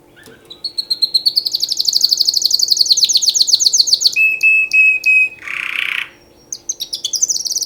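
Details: Mating song of a canary: accelerating rapid trill rising into a long rolling series, a steady held tone, a harsh buzzy burst, then quick high twittering notes.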